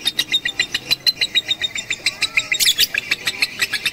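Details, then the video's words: Batman lovebird being trained on a roof with a master recording, 18 April 2021; loud, rapid chattering chirps in a steady stream, one brief raspy burst partway through. "Melatih Kicau Lovebird Batman"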